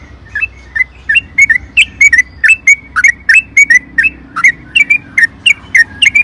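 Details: Sooty-headed bulbul, lure recording of its long ropel panjang song: evenly spaced pairs of bright whistled notes, about three per second, over a constant low background hum.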